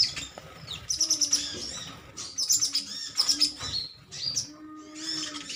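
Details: Sunbirds with metallic green plumage, a colony squabbling together: clusters of very high, glittering chip notes in quick runs, pausing and restarting, over a faint low hum.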